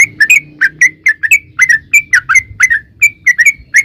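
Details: Sooty-headed bulbul song, used as a lure to get other bulbuls singing: clear whistled notes with slurred endings, one or two at a time, in quick succession over a soft low rumble.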